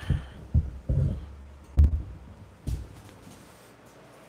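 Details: Low, dull thumps in a small indoor room, irregular at first and then fading into a quiet hum, with no animal voice heard.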